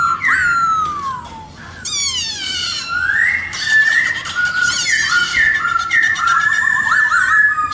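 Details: Strong whistled song of a black-throated laughingthrush: long descending slurs, then repeated rising-and-falling whistles overlaid with rapid rasping trills, nearly continuous and loud.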